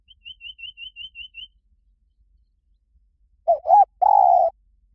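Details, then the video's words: Spotted dove singing the 'liu tan' style, used to train a dove to answer. First comes a quick series of seven high whistled notes from another bird, then the dove's phrase: two short hooting coos and a long, even, low coo. "สำหรับเปิดล่อนกเขาใหญ่ฝึกต่อ ให้ขันโต้ตามเสียงนกเขาใหญ่หลิ่วตัน"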